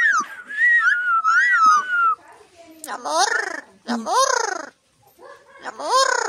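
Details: A talking parrot, recorded 11 October 2024, that says words such as "mi amor", "Roberto" and "frío", speaks a run of voice-like phrases: a smooth, wavering whistled line, then several short, bright, rising-and-falling syllables with pauses between.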